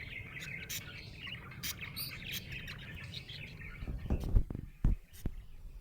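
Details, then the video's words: Cheerful budgerigar chirping, bright warbled chatter with sharp clicks and taps near the end over low background noise. "Happy budgie chirping sound"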